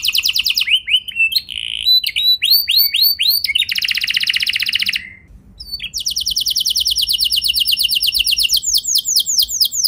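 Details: Lure song of a canary meant to make other canaries answer with long rolls: varied phrases of high chirps, a dense buzzy trill, a short gap, then a long rapid rattling roll.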